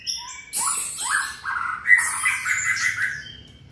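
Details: White-rumped shama kept for song-stamina training, delivering loud rich warbled phrases with rapid rising notes and sharp chips over a quiet background.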